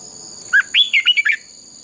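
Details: Red-whiskered bulbul in fighting song, used to train other birds: a single bright phrase of about six quick, slurred, whistled notes, rising and falling, over a continuous high whine.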